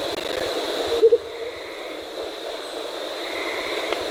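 An Andean motmot gives a single low, soft double hoot, 'hoo-hoop', over a steady background hiss with a faint high insect drone.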